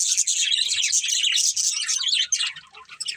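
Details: A budgie family of pets chirps rapidly in high twittering bursts, the chatter thinning to a few scattered notes at the end.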